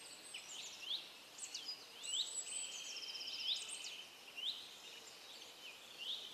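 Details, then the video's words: Common terns breeding on rafts built by the town in Dachau, Germany, where they regularly raise young: overlapping harsh, high, downslurred calls from several birds, repeated irregularly over a steady hiss. "Flussseeschwalbe (Sterna hirundo)"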